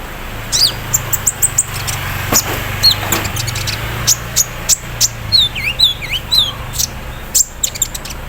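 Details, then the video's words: Sunbird in the morning dew giving thin high chips and quick downward-slurred whistles in short phrases, over a continuous low mechanical hum. "KONIN KELUAR ISIAN MESIN BORDIR, CERRR SAAT DI EMBUNKAN PAGI HARI"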